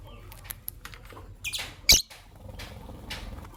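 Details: Lovebirds, green Personata and albino birds, in the morning: soft scratchy chatter building to a loud, shrill squawk midway, then lighter chirps, over a low steady background hum.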